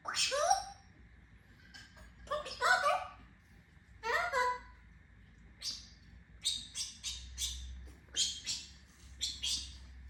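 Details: Pet African grey parrot calling indoors: a descending whistle, then harsh, squawky bursts and short chirps spaced a second or two apart, with a faint steady hum underneath.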